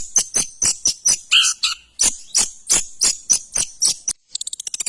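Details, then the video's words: Shrike (cendet) producing regular harsh, scratchy notes several per second, a short lower squeaky phrase, then a quick high trill at the end. "Suara burung cendet The sound of shrike"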